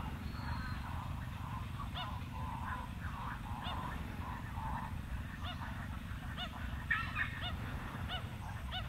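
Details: Pied stilts (Himantopus leucocephalus) give sharp, nasal, yapping notes, several birds overlapping in irregular bursts, over a steady low rumble of wind.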